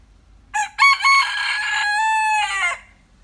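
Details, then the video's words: After a moment of quiet, a rooster known for its good crowing calls once: a short stuttered start, then a long sustained note with a slight downward bend before cutting off. The background is nearly silent. "Gà Gáy Hay"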